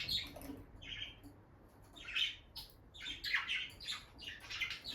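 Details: A bonded peach-faced lovebird pair beside the nest box, where the female goes in and out: clusters of shrill chirps and short squeaks, a few seconds apart, against faint low room hum.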